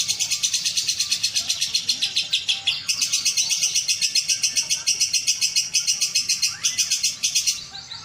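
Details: Contest-winning caged lovebird from Palembang, Indonesia, singing a long fast stream of shrill chirps and buzzy chatter, with brief breaks in the rhythm and a short pause near the end.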